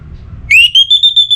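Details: Orange-headed thrush from North Bali, Singaraja, in breeding condition and calling a rival, gives a sharp upslurred whistle. It then levels into a high, clear, pulsing tone broken into about five quick beats.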